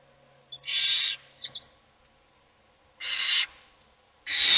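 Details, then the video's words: Hungry owl chicks hiss for food inside a nest box, three drawn-out rasping shrieks with a couple of tiny clicks between, the last one louder and rougher. "Todos los polluelos tienen hambre, pero sólo come uno."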